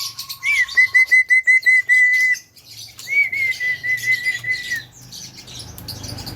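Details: Javan myna singing hard: a low steady tone beneath rapid pulsed, level, high whistles in two long runs, then softer chatter.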